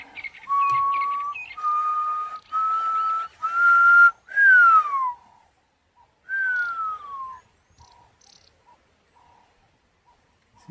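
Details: A full-grown Pearl-spotted Owlet perched midway up a tree, active early morning and late afternoon, gives its distinctive run of high, pure whistles climbing in pitch, then two long downslurred whistles, over a low background hum.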